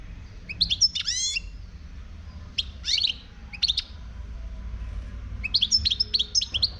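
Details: Song of a wild European goldfinch from Morocco: clusters of high, twittering notes mixed with a buzzy rising trill, coming in separate bursts and ending in a longer run of fast, bright chirps over faint low hum.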